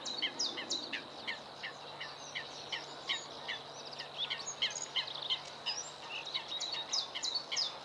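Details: Bluethroat song early in the morning, a dense, fast run of high chirping and ticking notes in quick succession, varied in pitch from mid to very high, over a low steady hum.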